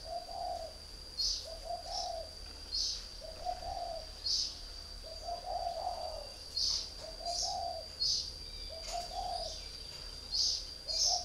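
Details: Northern Vietnamese spotted dove, caged and used three years as a decoy, repeating soft low coo phrases about every one and a half seconds, with regular sharp high chirps and a continuous high whine behind.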